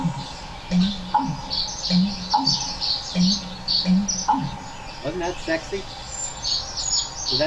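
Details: In a marsh soundscape, a low, hollow, gulping boom from an American Bittern repeats about once a second. Behind it, red-winged blackbirds and tree swallows give high chattering and twittering.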